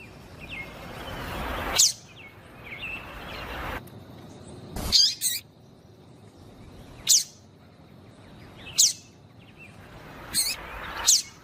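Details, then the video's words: Female papa-capim, the yellow-bellied seedeater, calling as a 'piadeira' to excite a male. Single high, sharp chirps repeated every one to two seconds, with soft background noise. "Fêmea de Papa capim piadeira para Esquentar Papa capim"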